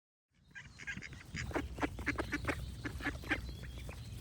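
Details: Ducks quacking in quick, uneven bursts of short harsh calls, about four per second, with songbirds singing faintly behind and a steady low rumble throughout.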